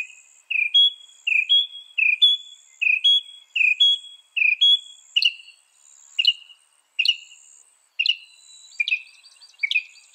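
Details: Northern mockingbird, a bird said to learn 200 sounds, in a training recording for songbirds: a two-part whistled phrase repeated many times at even spacing, later changing to sharper chip-whistles, insects humming high and faint.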